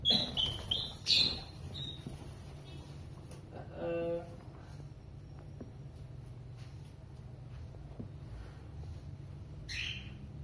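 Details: A free-flying pet cockatiel gives a few quick, high chirping whistles as it is called, followed by a brief human call.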